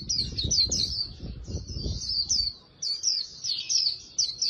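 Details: Oriental white-eye singing a very fast "líu" style song used for voice training, a rapid, high, thin twittering warble in continuous bursts, with low thumping noise in the first half.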